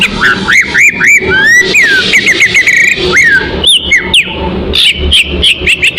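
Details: Oriental magpie-robin lure song used to attract birds: loud, varied whistled phrases with rising and falling slurs and sharp chirps in quick succession, over a rough low background rumble.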